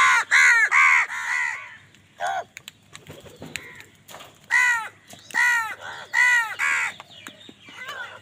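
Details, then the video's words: Angry crows fighting other wild birds for food give repeated harsh, hoarse caws in bursts of two and three. Several overlap, and there are shorter clipped calls and rustling between the bursts. "Angry kawa ki awaaz"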